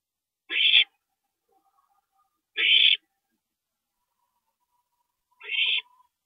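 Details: Owl at a nest at 2:40 AM on April 22, 2012, during a parent's stopover: three harsh, hissing screeches, each under half a second, spaced about two to two and a half seconds apart, with faint low tones between.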